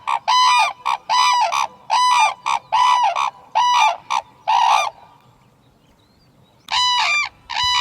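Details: Red-crowned crane giving loud, harsh trumpeting calls, about seven blaring notes in quick succession, then a short pause before two more bursts; each note is rich and nasal.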